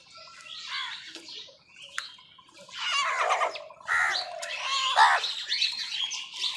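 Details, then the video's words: Crows squabbling with wild birds over food give harsh, raspy, broadband caws in a rough run during the second half. Thinner chirps and a brief tone come from other birds. "Crow Soud কাকের ডাক"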